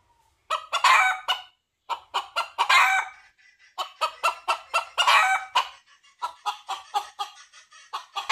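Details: Rapid, loud clucks from a red junglefowl seeking a female build repeatedly into harsh crowing outbursts, then trail into softer, evenly spaced clucking.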